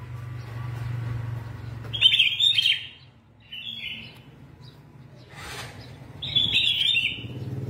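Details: Caged red-whiskered bulbul with yellow vent singing in a contest; loud rich warbled phrase at two seconds, a softer note near four seconds, another bright phrase after six seconds, with low hum and a brief rustle between.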